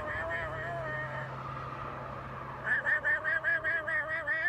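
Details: Macaw relaxing on a lazy sunny day, singing "For He's a Jolly Good Fellow" in a hoarse, voice-like tone: a drawn-out note, then a quick run of about a dozen short sung syllables; Macaw.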